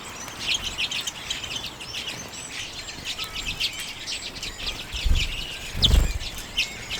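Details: Flock of common redpolls eating sunflower seed in late January 2022, Canon EOS M50 recording: steady high twittering chirps throughout, with a couple of low thumps or knocks near the end.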